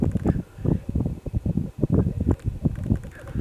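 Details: Black grouse at a site in mid-Wales on 17 February 2018, very early on a gloomy morning, giving a low, rolling bubbling of rapid pulses that runs on almost without pause.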